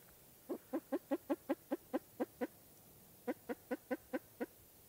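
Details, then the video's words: Spruce grouse giving two runs of short, low, hollow clucks, about ten notes then a pause and six more, evenly spaced at roughly four or five per second, with a quiet background. "Spruce Grouse Bird Call"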